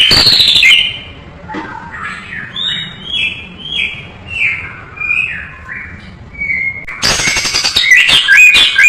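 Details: Caged white-rumped shama tutor song: a harsh opening burst, then a series of sweet downslurred whistles repeated about every half second, ending in loud scratchy rattling phrases.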